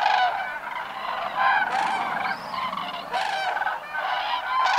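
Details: Migrating cranes in flight give loud, ringing trumpeted calls in overlapping bursts, several birds at once, with short pauses between surges of the chorus.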